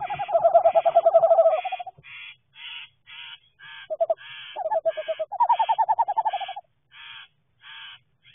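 A pair of Western Screech-Owls trade low, rapid hooting trills, some steady and some bouncing. A short, buzzy higher sound repeats steadily in the background.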